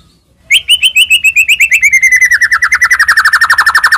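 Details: White-rumped shama used to provoke rival shamas into singing; after a short silence, one long rapid trill of pulsed notes, about four seconds, gradually sliding lower and growing fuller.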